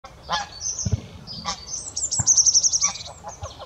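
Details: Greylag geese recorded on 6 February 2017, giving a series of about five harsh, nasal honks at irregular intervals, while a smaller bird adds a high, thin twittering trill in the middle of the sequence.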